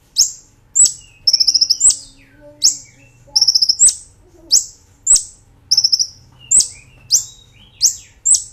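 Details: Brown-throated sunbird (Kolibri Ninja) master recording for tutoring cage birds, in the lively gacor style with nembak and ngerol phrases: sharp high downslurred chirps about every half second, broken by fast rattling trill bursts.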